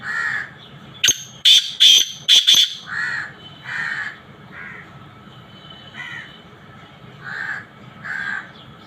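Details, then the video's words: A black francolin gives a loud, harsh, grating burst of clipped notes, followed by softer repeated chirps from other birds in the background. "کالے تیتر کی اواز مشکی سندھی تیتر کی اواز"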